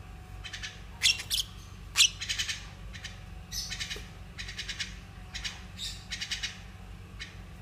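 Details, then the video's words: A group of baby lovebirds, newly hatched to nearly juvenile, giving harsh raspy squawks and chatter in short bursts about once a second, over a steady low hum. "Sekelompok baby love bird"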